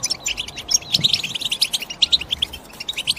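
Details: Short stretch of European goldfinch chirping: crisp, high tinkling notes in quick, uneven succession, some sharper ringing chips standing out above a soft twittering background.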